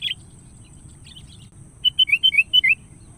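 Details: Sooty-headed bulbul calling a rival, used as a lure call: a quick run of about seven bright whistled notes, alternating higher and lower, after a few faint earlier chirps, over a low background hum.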